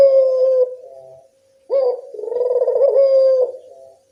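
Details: Barbary dove coo used as a lure to make local doves reply: the tail of one steady coo, a pause, then a full call with a quick upward note, a pulsing middle and a held low tone.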